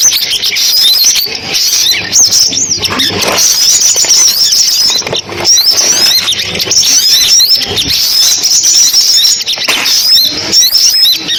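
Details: Sunbird song played back as a lure for trapping: a dense, continuous stream of high, thin twittering and rapid chirps, many overlapping notes, hardly pausing across the whole stretch.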